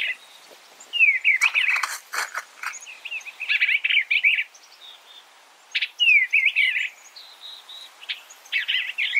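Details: Warbled phrases from an Eastern bluebird, a run of quick downslurred and wavering notes delivered in several bursts, with faint insect-like buzzing in the background.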